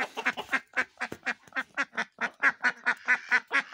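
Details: Ducks playing in snow, giving a steady run of loud nasal quacks, roughly three or four per second, overlapping in places.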